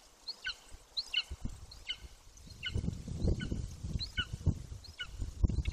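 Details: Near the nest in Bucovina on 9.6.21, an 18-week-old juvenile Golden Eagle repeats sharp, descending whistled yelps at a steady pace. Gusty low wind noise rises partway through.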